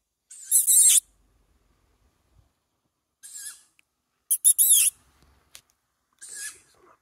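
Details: Young tawny owl begging for food with short, raspy, wheezing screeches, some doubled or broken into quick bursts, given at irregular intervals of one to two seconds in otherwise quiet surroundings.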